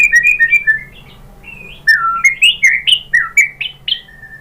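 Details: White-rumped shama singing as a lure for rival birds: soft warbled notes, a brief pause, then a quick series of loud upslurred and downslurred whistles.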